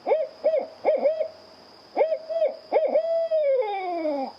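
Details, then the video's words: An owl gives short, mellow hoots in quick bursts, then a longer hoot that sags downward at the end. A faint steady high hiss runs underneath. "This is an owl. And this is what it sounds like."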